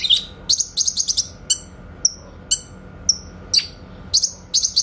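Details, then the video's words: Master recording of a grey-cheeked bulbul's clear 'tembakan' song for training songbirds: an opening rapid string of shrill notes, then spaced single whistled chirps and a closing quick burst. "MASTERAN BURUNG CUCAK KINOY SUARA TEMBAKAN JERNIH"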